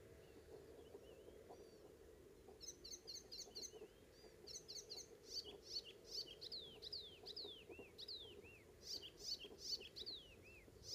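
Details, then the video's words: May morning song of an Icterine warbler on Ameland, north of Hollum, Netherlands: faint whistles, then rapid repeated high metallic notes and swooping, descending whistled phrases, lively and varied, with steady low background rumble. "Icterine warbler / Hippolais icterina"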